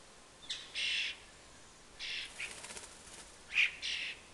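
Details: Juvenile starlings chasing their parents near a fat ball, begging with scratchy, noisy screeches, a few brief broad bursts, with a soft flutter of wings between them.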